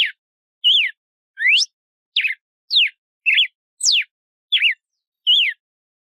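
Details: Albino mutation red-cowled cardinal singing clear whistled phrases, each a short slurred note, some rising, some falling, some zigzagging, about nine phrases in six seconds with brief silent gaps between them, no other sounds.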